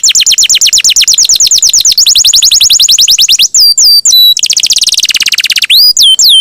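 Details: Long rolling song of a champion canary, recorded as training material for songbirds: a sustained run of rapid rising strokes, a short pause, more rolling, then hooked whistles and a dense descending trill.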